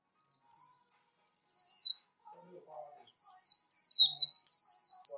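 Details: A white-eye in competition-style song for voice training, recorded without background noise, sings rapid bursts of thin, high, slurred chips, each dropping slightly, run together in quick chattering phrases with brief pauses.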